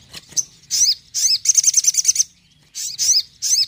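Ashy Tailorbird song: high, sharp chirps in short bursts, with a quick run of about ten clipped notes in the middle. No other clear sounds.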